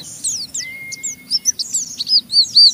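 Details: Caged Oriental white-eye in rough ngeriwik chatter that stimulates other white-eyes to sing; short high slurred chirps, one long steady whistle in the middle, notes growing louder toward the end over a low hum.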